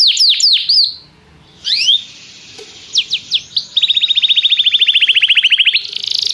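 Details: Singing canary in song training, calling another canary to join in; opens with quick sweeping notes, brief pauses, a few swooping calls, then a long even rattling trill of rapid repeated notes.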